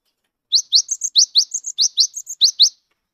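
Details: Singing Cinereous tit of the gelatik wingko type, recently caught, used as a lure so silent birds join in: a lively sequence of roughly fourteen rising chirps and thin, level high whistles, evenly paced.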